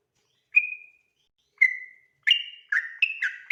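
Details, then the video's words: Trucukan (yellow-vented bulbul) at night in ropel song used for training other birds: two clear, slightly falling whistled notes about a second apart, followed by quick alternating high and low whistled phrases. "burung trucukan ropel ngotot dimalam hari cocok buat masteran agar cepat ropel malam"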